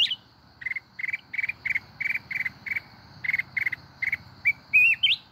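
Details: Mountain Red-whiskered bulbul singing in wild-style song in Bình Thuận, Vietnam: about a dozen short, bright chirps at about three a second, ending in a few rising, warbled whistles, over a faint steady hum.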